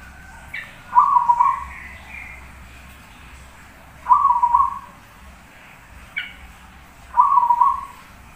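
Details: Zebra dove (perkutut) in energetic song, three rolling cooed phrases spaced roughly three seconds apart. Each opens with a short higher note before a low, warbling trilled coo. Faint background hiss.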